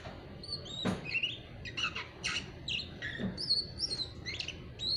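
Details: Oriental magpie-robin in its "ngeriwik" stage, a raw young cage bird. It gives soft rambling twittering with high squeaky notes and brief whistles, plus two dull knocks, under steady hiss.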